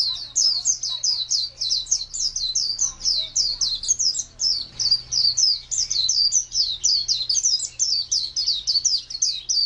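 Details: Sustained high-pitched twittering from an Oriental white-eye in ngalas wild-type style, quick looping slurred notes pouring out almost without break, faint low hum and a brief murmur of voices in the background.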